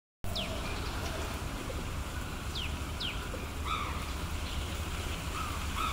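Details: A Common Tailorbird in Yangon, Myanmar, in January 2021, gives a few sharp, high notes that drop quickly in pitch, spaced irregularly, with softer lower chirps over a steady low rumble of background noise.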